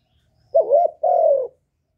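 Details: Spotted dove, used as a lure bird to excite other doves, uttering a two-part low mellow coo, the first note wavering, the second longer and steady.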